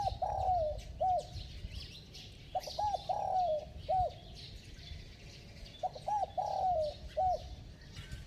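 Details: Spotted dove in bell voice, repeating its phrase three times roughly every three seconds: clipped hoots, a long downward-sliding coo and a short final hoot, with background hiss and faint chirps.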